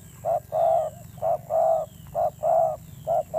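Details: Fierce-sounding spotted dove coos: alternating short and longer mellow hoots, about one per second, with a constant low rumble and high whine behind.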